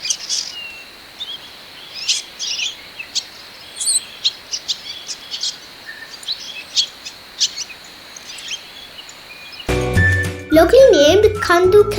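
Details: Hill Swallow over tea estates at Nuwara Eliya in Sri Lanka's hills, giving short, high, thin chirps at an irregular pace, about two a second, over a steady background hiss. Music comes in near the end.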